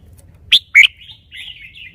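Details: Caged red-whiskered bulbul: two sharp, clipped whistles followed by a softer, wavering whistled trill that drifts on for about half a second.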